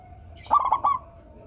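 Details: One short, bright cooing phrase of four quick notes from a sweet-voiced local Indonesian zebra dove, with a faint continuous coo behind it.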